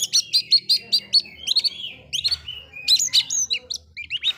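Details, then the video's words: Oriental magpie-robin singing to stir up rival magpie-robins: a fast string of bright repeated whistled notes, followed by varied swooping and looping whistles, with a faint low hum beneath. "Suara burung kacer bikin emosi kacer lain"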